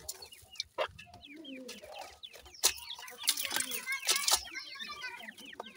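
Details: Grey francolin chicks give a chorus of thin, high, slurred peeps, some rising then falling, mixed with clicking knocks and a low murmur.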